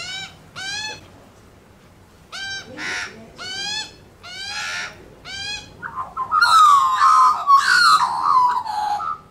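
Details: Australian magpies on a lawn, being fed bacon and calling in the family: a series of evenly repeated nasal, harmonic-rich calls, then a louder rolling, warbling carol with several voices overlapping.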